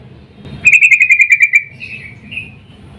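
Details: Female yellow-vented bulbul calling to a male in breeding excitement, used as a lure: one fast burst of about ten bubbly, chattering notes, then softer slurred notes trailing off.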